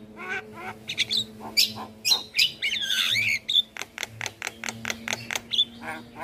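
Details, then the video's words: Javan myna master song for prompting other caged birds to sing: scratchy chatters and a warbled whistled phrase, then a fast even run of sharp ticks, over a low steady hum. "Jalak kebo Gacor Parah Bikin Burung Lain yang Dengar Ikut Bunyi"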